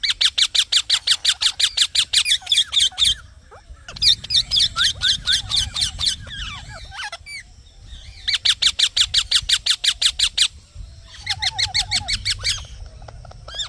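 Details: Green parrot chirping in long bursts of fast, regular harsh notes, with quieter jumbled chatter between bursts and a brief low trilling phrase near the end.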